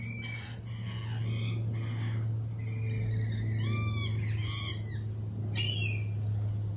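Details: Lorikeets at a feeding cafe, jittery after a peregrine falcon attack earlier this week, give a busy overlapping run of sharp, harmonic squeals and rising-falling screeches from several birds, with a steady low mechanical hum throughout.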